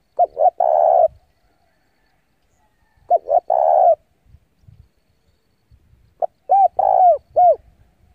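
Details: Decoy spotted dove calling rivals in to fight: three cooing phrases about three seconds apart, each with short lead notes and a long throaty coo, the last phrase ending with a separate rounded coo.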